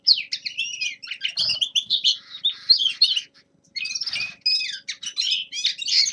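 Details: Young male linnet in winter, practising song in quick bursts of high twittering and buzzy notes, broken by a short silence midway before the chatter resumes.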